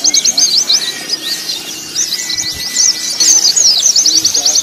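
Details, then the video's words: Mixed white-eye voices in a song-contest training recording: broken bursts of high, scratchy twittering and trills, varied in rhythm, over a faint lower whistle. "Terapi pleci + simulasi lomba burung pleci untuk melatih mental pleci"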